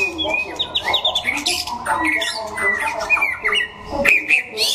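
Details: White-rumped shama at a singing contest in Đắk Lắk, Vietnam: a rapid run of clear whistled notes, short rising and falling slurs, with harsh squawk-like bursts and faint background voices.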